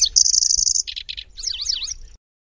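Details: Singing Lanceolated warbler: a high sustained insect-like reel breaks into two short coarse rattles, then a run of fast rising-and-falling zigzag whistles fading out, with faint low rumble beneath.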